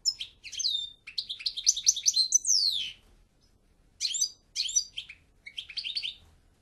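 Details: European goldfinch singing twittering phrases of bright chirps, liquid trills and falling whistled slurs, with a pause before a second, shorter burst of chatter.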